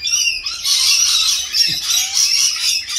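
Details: Australian rainbow lorikeets in a feeding frenzy: a dense, continuous wall of shrill overlapping squawks and screeches from many birds, unbroken for three seconds.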